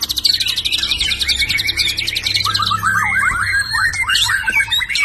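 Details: White-rumped shama, a filial (F) bird, singing a tembakan-style song: a rapid burst of high, dense chattering notes, then lower, looping whistled phrases. A low hum runs underneath.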